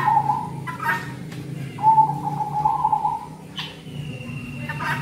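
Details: Zebra dove song for luring birds in the cold season. Rolling, stuttering coos run in connected phrases. A bright rising whistle from another bird enters near the end, with a low hum throughout.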